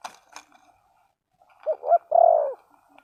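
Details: Spotted dove in a bird-luring setting gives a single cooing phrase: two short rising hoots run into a longer, drawn-out mellow coo, preceded by a few faint clicks and chirps.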